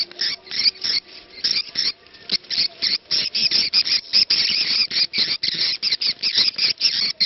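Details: Swiftlet "ceklok" lure call, used to attract birds: rapid, dense bursts of high chirping and clicking twitters repeated several times a second with brief gaps; a faint call to prayer (adzan) is reportedly heard faintly, with a low tone humming beneath.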